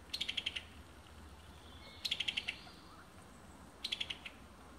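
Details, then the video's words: Bright red male Summer Tanager singing in Alabama, 2019: three quick bursts of five or six bright, slightly falling notes, each burst about two seconds apart, over a faint low hum. "Beautiful Summer Tanager Songs"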